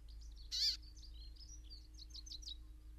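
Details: A brambling at Ballinaglera, Ireland, gives one loud, harsh nasal note, followed by a quick run of thin, high chirps over a low, steady hum.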